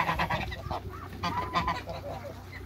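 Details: African and Toulouse domestic geese in a backyard giving a short burst of nasal honks from more than one bird, including a rising-falling honk, over a low background hum.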